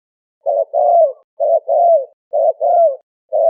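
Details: Faster cooing from a Malay turtle dove, paired notes about once a second. A short coo is followed by a longer one that bends downward, repeated steadily in a clean recording.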